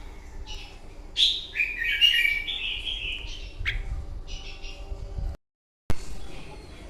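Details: Fighting song of a red-whiskered bulbul in the morning, for training a bird: one long warbling whistled phrase, then fainter notes, a brief full silence and a sharp click near the end over low hum.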